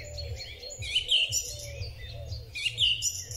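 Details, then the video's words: Song thrush in spring, taken on a Huawei P30 Pro phone, repeating a clear ringing phrase twice alongside chirpy higher notes. A faint low murmur and background hum run throughout. "Drozd Śpiewak. Wiosenny koncert ptaków."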